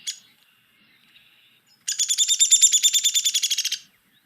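A Downy Woodpecker's whinny: a fast run of about sixteen sharp, high notes over two seconds, easing slightly downward in pitch toward the end.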